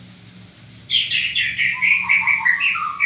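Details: Loud, rich white-rumped shama song: a high thin whistle gives way to a quick series of bright, warbled notes that step downward and end in lower sliding whistles.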